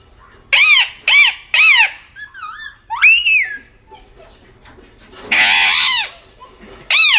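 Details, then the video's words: Aggressive pet parrot indoors: a series of loud harsh arched squawks, three in a row at the start, then softer wavering notes, a long raspy screech, and a final sharp squawk. "My aggressive parrot"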